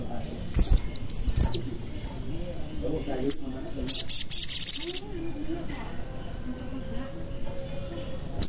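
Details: Lure recording of a sogon singing to coax quiet birds into song. It opens with looping high whistled notes, then a single chip and a quick rattling run of shrill notes, followed by quieter background.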